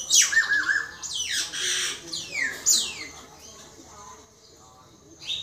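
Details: Common myna giving loud, harsh, rasping squawks: broad noisy bursts sweeping downward, about four in the first three seconds, with a short thin high note at the start, then a quieter raspy tail and a brief final squawk.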